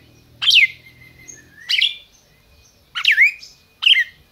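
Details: Red-crested cardinal, bred in captivity in Brazil, calling with four emphatic, sharp notes sweeping downward and trailing into a brief hold, spaced roughly a second apart over low hum.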